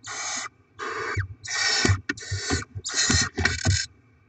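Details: Barn owl feeding scene with rodent deliveries, 7 February 2024: several overlapping grating hisses in quick succession, punctuated by soft thuds and shuffling.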